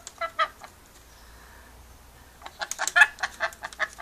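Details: Pet rainbow lorikeet chattering playfully: a few clipped rasping notes, a quiet pause, then a rapid string of short harsh chirps and squawks building in loudness, with a woman's voice nearby.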